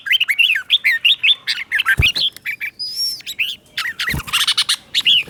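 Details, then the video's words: Captive red-whiskered bulbul's clear 'double' song, played to train caged birds to copy it: nonstop lively warbled notes rising and falling, with a couple of knocks and a thin high whistle. "เสียงนกกรงหัวจุก | สุดยอดนกครู เบิ้ลชัดๆ เบิ้ลเป็นคู่ๆ เสียงกระตุ้นนกรงหัวจุก"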